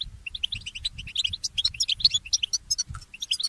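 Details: Goldfinch mule (hybrid) at dawn: a quick string of bright chirps and tinkling whistled notes, climbing and varied, running almost without break over a soft low rumble.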